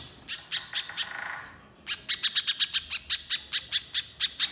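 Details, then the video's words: Little spiderhunter in full, rapid-fire song: sharp, high chipping notes repeated quickly in two bursts, separated by a short hissing noisy gap; the second burst is a steady, fast run of about fifteen notes. "Pancingan Pijantung Pisang Gacor Agar Pijantung Bahan Cepat Bunyi Nembak Mbeset Rapat"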